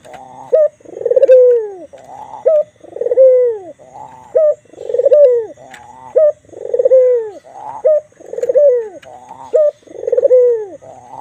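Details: Persistent cooing from a white Barbary dove with a black collar: five or six cycles of a short sharp note plus a long, rolling descending coo, evenly paced at roughly two-second intervals.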